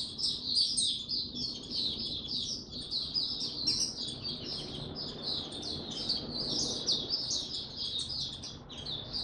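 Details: Oriental white-eye singing in the tiong aw style, recorded 25 January 2022 after the bird slept late the night before; a dense, rapid stream of high, sweet chirps and warbled notes runs without pause.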